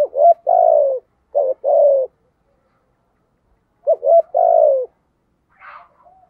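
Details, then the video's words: Decoy spotted dove in thổ voice style gives low cooing phrases: quick stuttered notes leading into a drawn-out descending coo, repeated twice, with a faint brief chirp near the end. "Chim Cu Mồi Thúc Gù, cu gáy giọng thổ"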